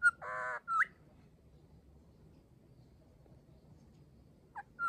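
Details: A grey shrike-thrush in an Australian garden on a grey day, seemingly repeating a short message for a mate or family member, gives clear, mid-pitched whistled notes and a brief rich, nasal phrase, then falls quiet before whistling again; faint hum.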